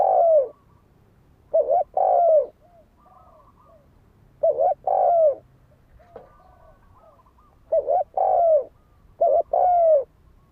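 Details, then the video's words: Spotted dove cooing to provoke a decoy into fighting: repeated two-part hollow coos, the second note longer and slurring downward, given in steady phrases every couple of seconds, soft bird chirps audible between. "Tiếng chim cu gáy đấu bổi dùng kích mồi cực chuẩn"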